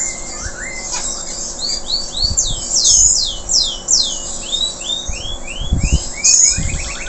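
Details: Local canary after its moult, still singing energetically: a run of loud, downward-sweeping whistled notes repeated in quick succession, with a few higher sharp notes and faint low background rumble.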